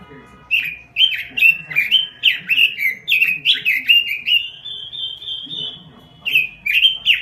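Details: Robin singing at full strength for an Indonesian lure and tutor recording: a rapid chain of bright, slurred warbled notes, ending in a long, steady, high drawn-out whistle before a fresh burst of warbling begins.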